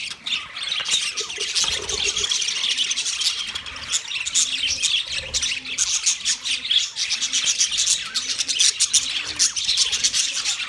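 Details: Budgies, a colony of 30 pairs, chatter nonstop: crowded high chirps, squeaks and rapid warbling from many birds at once, with soft low coo-like notes now and then beneath the chorus.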